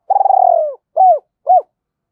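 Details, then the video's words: Spotted dove used as a decoy, giving the 'gọi hai hậu' double-voice coo: one drawn-out rolling note with a fluttering texture, descending at the end, then two short arched hoots. "Chim Cu Mồi - gáy gọi hai hậu hay còn gọi là giọng đôi rất hay"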